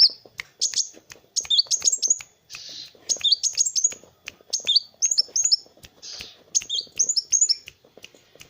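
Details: Kolibri wulung sunbird in energetic song, meant for training other birds; bursts of quick high twittering whistles repeat every second or so, broken by short hissy notes.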